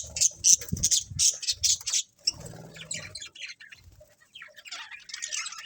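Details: Budgerigars in a colony give a quick series of loud, clipped high chirps at the start, then softer scattered twitters and a rising chattering wash toward the end.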